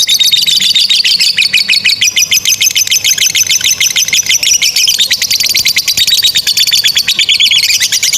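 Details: Continuous lovebird ngekek chatter for training young or silent birds: dense, fast high chirps running without pause, wavering slightly in pitch and rising toward the middle.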